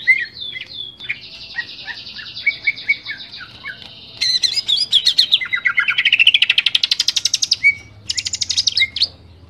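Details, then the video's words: Greater green leafbird singing a varied song used for training other birds: quick chirps, then a long buzzy stretch, then a loud rattling trill that rises and falls. A low hum underneath throughout. "Masteran cucak ijo gacor suara jernih, cucak ijo ngeplong full isian"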